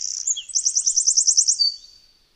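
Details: Eurasian wren song fragment recorded on a Zoom H6: a high thin note followed by a rapid, even trill of about a dozen bright notes, then fading away; quiet surroundings.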